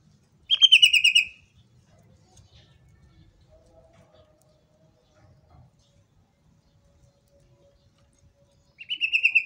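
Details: Sumatran leafbird (Chloropsis media), song.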